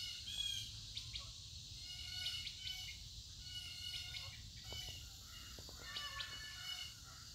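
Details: Several wild birds calling together outdoors: quick chirps and short harsh squawks, with a thin whistled note near the start, over a steady high insect hum and low rumbling background noise.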